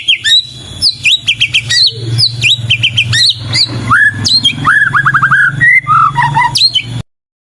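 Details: Rich, varied song of a white-rumped shama (murai batu): dense sequences of sweet slurred whistles, sharp upsweeps and quick descending runs of notes, with a low hum underneath.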